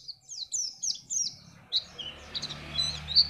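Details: Brief white-eye song used to make other birds sing for contests: several high, slurred chirps in quick succession, then scattered notes over rising background hiss and rumble.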